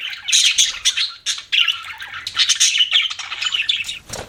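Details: Several rapid bursts of harsh, squeaky budgie chirps and warble follow one another closely, with a brief dip in the chatter after the first second.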